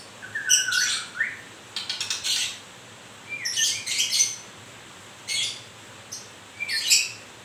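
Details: White-rumped shama, murai, newly moulting, described as murai grewek; low whistled notes slide and rise, broken by harsh, scratchy high bursts in four or five phrases separated by short pauses.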